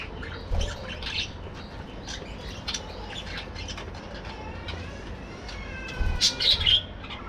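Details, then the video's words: Colony budgies in a breeding aviary during the morning: sparse high chirps early on, then a louder cluster of squeaky, warbling notes toward the end, with a constant low hum beneath. "Budgies Playing | Activities | Breeding | Colony Parakeets Morning Activities"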